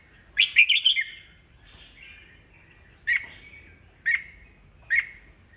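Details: Old wild-caught red-whiskered bulbul singing, kept as a cage bird and used to provoke rival birds into competitive singing; a burst of bright warbled notes, then short sharp chirps repeated about once a second, quiet background.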